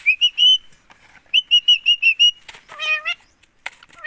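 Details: Green ring-necked parakeet kept as a pet in India, saying "mummy" without stopping: a quick run of short bright whistled syllables, then a buzzy, nasal two-part phrase and a final short call.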